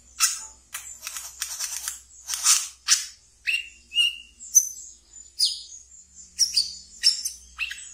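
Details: Kept wiceh in ngeriwik chattering song, played as a training lure for brown-throated sunbirds; scratchy high twitters alternate with thin whistled slurs and sharp descending chips, delivered in rapid uneven bursts about every half second.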